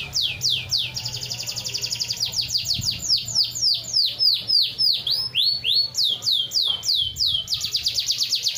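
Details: Canary singing continuously with rapid, sharply down-slurred high notes repeated in quick rolling series, some tours faster and buzzier, shifting pattern every second or two; a faint low hum sits beneath.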